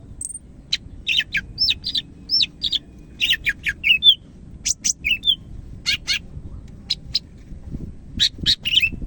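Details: Medan greater green leafbird in full song, a steady string of crisp whistles, slurred notes and short twittering bursts, evenly spaced at about half-second intervals, with a soft hum and a few low knocks.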